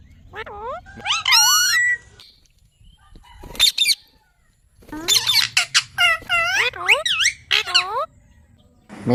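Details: Green parrot kept as a pet, talking and squawking: harsh downward-curving calls and rasping bursts in clusters, a squeal near the start, a silent pause, then a dense string of hoarse descending syllables.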